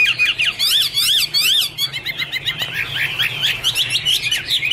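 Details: Chinese hwamei, angry, dancing and singing in the Iron Ax Blade Cut Wood style: very fast, sweeping notes that open with chevron-like flourishes and then break into quick, uneven chips and whistles.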